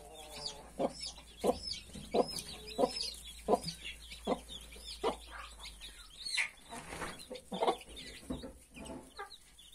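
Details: Hen tending 31 newly hatched chicks gives repeated short low clucks while a crowd of chicks keeps up high, looping peeps across the whole stretch.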